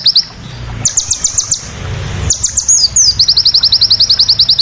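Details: Crested jay in fierce 'tembakan' song: groups of sharp, high, downslurred notes, a pause with low rumbling background, then an accelerating run of about fifteen rapid clipped notes.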